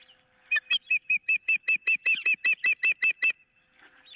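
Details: Osprey recorded on 15 April 2023, one bird with a fish on a pole and its mate wanting it while an intruder is around: a run of about fifteen loud, clear whistled cheeps, evenly paced at roughly five per second.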